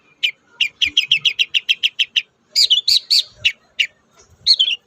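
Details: Long-tailed shrike singing, used to get captive birds singing: a fast steady series of about fifteen short chirps, then louder warbled buzzy notes and a final slurred phrase.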